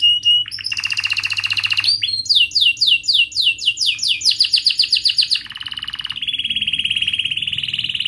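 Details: Young-canary training song from a canary: a sharp opening note into a dense buzzy trill, then a run of fast descending whistled chirps about four per second, ending in a long steady rolling trill.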